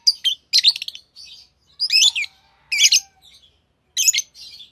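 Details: A green pair of Fischer's lovebirds chirping: short, bright, harsh chirps in separate bursts roughly every second, some with rapid buzzy stacked notes, and a faint steady low tone between them.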